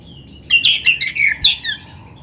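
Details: Oriental magpie-robin singing, used as a tutor recording to train other birds to sing: a brief phrase of high, varied whistled and warbled notes, sliding up and down, over a steady low hum.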